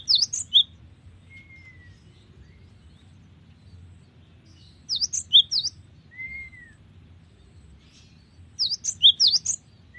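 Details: Cinereous tit singing sharp, high chirped phrases of three or four notes, repeated roughly every four seconds, with a soft, faint whistle between phrases and a low steady hum beneath.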